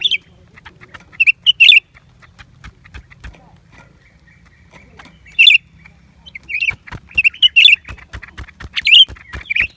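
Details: Lesser green leafbird delivering bright, chattering phrases, a burst early, a lone note midway, then a dense run of lively twittering toward the end, with tapping clicks throughout.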